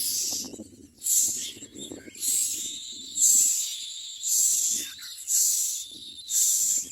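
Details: Common myna chicks screaming for food while being fed: harsh, hissing screeches repeated about once a second, each lasting under a second, with quieter rustling and low clatter between the bursts.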